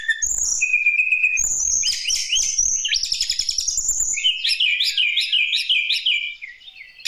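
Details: Lesser shortwing song played to coax hesitant birds into singing: a rapid, twittering warble of very high, tumbling notes, ending in a repeated rising-and-falling trilled sequence, with faint rustling underneath.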